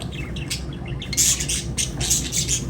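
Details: Lovebirds chirping: a run of shrill, high squawking chirps in two bursts, the second louder and denser, over a steady low hum.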